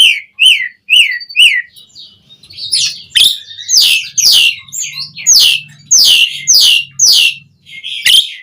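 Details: Caged Asian pied starling singing to rouse other starlings: three short whistled notes, then loud harsh, rasping bursts repeated roughly every half second.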